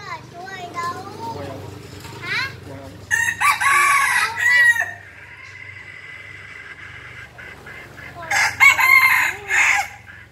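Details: Five-month-old red junglefowl crowing very fiercely: two loud, harsh, broadband crow bursts around the middle and end, separated by a quieter steady tone. Human voices are heard talking at the start.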